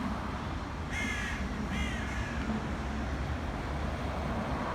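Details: Two harsh, raspy caws come in quick succession from black crows attacking a pigeon. A constant low roar of background noise follows, with no further calls.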